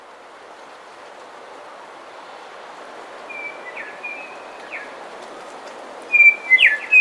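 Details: Bellbirds in a coastal dawn chorus, some close: after a quiet start with steady background hiss, clear whistled notes and short downslurred phrases appear midway, then louder bright sliding notes near the end.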